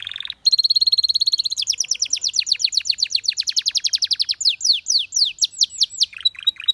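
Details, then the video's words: Singing canary delivering a brilliant, continuous song: a short whistle, then a long, fast, even trill, shifting into rapid descending sweeps and finally looping whistled slurs, loud and close with a quiet background. "The Most Beautiful Canary Chirping Sounds"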